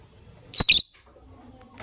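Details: Fischer's lovebirds, a white albino and a pastel green bird kept as pets, heard in the morning: two sharp, shrill, high chirps in quick succession, followed by near quiet with faint rustling and a soft scratch at the end.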